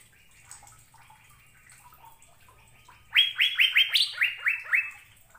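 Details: Asian fairy-bluebird song from a recording made to train caged birds. Soft, faint warbling at first, then a loud, fast series of bright rising whistles, including one higher note.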